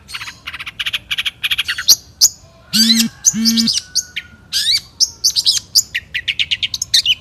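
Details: Long-tailed shrike, a national champion songbird, singing in the one-point style, 2016: dense, varied bursts of high chirps and trills, sharp rising whistles and two short low nasal notes near the middle, with quick phrases packed closely together.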